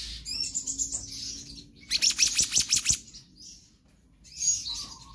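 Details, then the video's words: Lively 'gacor konslet' song of a black-naped monarch, a full-variation tutor recording: a brief burst of about eight quick, piercing repeated notes, framed by fainter high chatter and a low steady hum. "Kehicap Ranting Gacor Konslet Full Fariasi"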